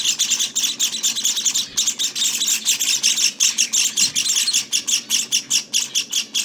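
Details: Java sparrow nestlings at day 18 beg loudly, a fast run of piercing, buzzy chirps, about two and a half per second, briefly faltering then surging again.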